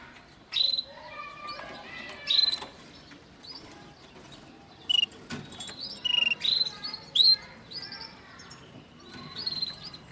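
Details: Male-or-unknown linnet x canary hybrid sings in quick bursts of bright twittering notes and clear high whistles, with short pauses between phrases.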